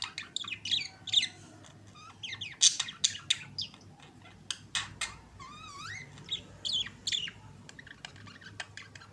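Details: Budgerigar pair kissing, warbling continuously: dense bursts of high chirps, squeaks and clicks, with a few rising and wavering whistled notes, over a faint low hum.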